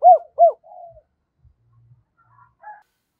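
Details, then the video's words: Caged spotted dove decoy luring wild doves: two loud arched coos close together, followed by a softer trailing note and faint, scattered murmurs. "Chim Cu Mồi Thúc Và Gáy Gọi Dùng Kích Bổi"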